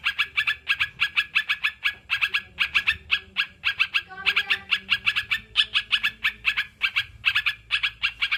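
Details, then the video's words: Continuous sooty-headed bulbul chatter of quick, bright chirps in tight runs, a brief lower rising squeak midway, over a constant low background hum. "Terapi burung crucukan biar cepat bunyi"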